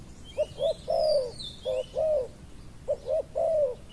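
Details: Decoy spotted dove calling to draw in a wild dove. Three clear phrases each hold quick soft coos followed by a drawn-out downslurred coo. Faint high whistling from other birds sits above.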